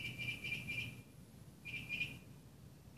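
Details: A Northern mockingbird sings in the morning in Burbank, California, in July 2016, with brief bursts of rapid, thin, repeated notes separated by short pauses, over distant low noise.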